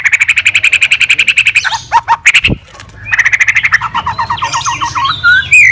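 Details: White-rumped shama, a fighter murai batu singing to provoke rival birds: a fast run of repeated buzzy notes about ten per second, sharp clicks, then another rapid repeated series ending in whistled slurs, with a low background hum.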